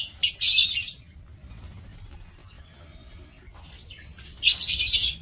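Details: Breeding-aviary lovebirds in Indonesia give two loud, harsh high-pitched bursts of screechy chatter, one at the start and one near the end, separated by a quiet stretch.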